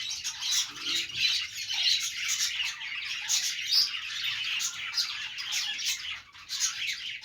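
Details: Continuous flock chatter from playing budgies: high twittering, rapid chirps and occasional harsh squawks layered over one another without a break.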